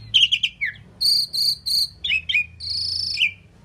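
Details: Indian pied myna, a talking bird that says 'Mynah', gives warbled notes, three sustained buzzy tones, a chattering phrase and a longer buzzy note ending in a slur.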